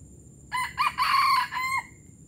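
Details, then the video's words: Gerabas-style crow of a junglefowl, Palembang: four linked parts, a brief opener, a sharp second note, a long grating central phrase and a drawn-out final note that slightly falls, lasting about 1.3 seconds with soft low rumble behind. "Ayam hutan palembang gerabas gerabas"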